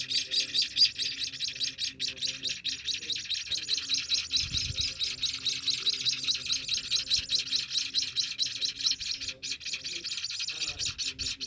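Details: Ten-day-old Scaly-breasted munia chicks beg while being hand-fed, with a rapid, continuous stream of thin, high chirps, about two a second, over a faint low tonal hum.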